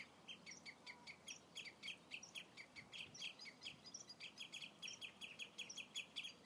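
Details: Common redshanks calling at Old Hollow, Ribble National Nature Reserve, giving a steady stream of short, high, piping notes, several per second, overlapping from more than one bird over faint background noise.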